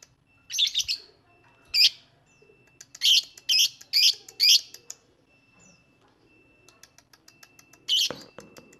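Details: Lovebird giving bursts of shrill, scratchy chirps, some grouped in quick runs of four, others single with pauses between, in lure audio meant to make lovebirds sing.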